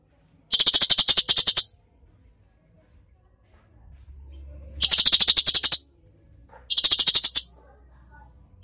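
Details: Cucak cungkok in lively, full 'tembakan' song, used as a tutor recording: three separate bursts of rapid harsh ticking, each about a second long, divided by long quiet gaps.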